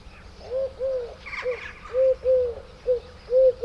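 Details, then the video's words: A Eurasian collared dove in a garden gives soft, hollow, breathy coos, higher and quicker than a wood pigeon's, in several short arched notes in quick succession, with a brief faint higher chatter partway through. "𝗖𝗼𝗹𝗹𝗮𝗿𝗲𝗱 𝗗𝗼𝘃𝗲 (𝗘𝘂𝗿𝗮𝘀𝗶𝗮𝗻 𝗖𝗼𝗹𝗹𝗮𝗿𝗲𝗱 𝗗𝗼𝘃𝗲) (𝟴𝟮) 𝘚𝘵𝘳𝘦𝘱𝘵𝘰𝘱𝘦𝘭𝘪𝘢 𝘥𝘦𝘤𝘢𝘰𝘤𝘵𝘰 — garden bird songs and calls"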